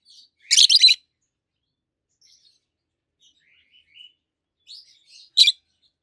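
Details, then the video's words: Chirping of two green adult peach-faced lovebirds, red-faced and white-faced: an opening loud triple shriek, scattered faint twitters and squeaks, and one final sharp chirp. "Lovebirds Sounds - Peach-faced Lovebird: Two Green, Red-Face and White-Face"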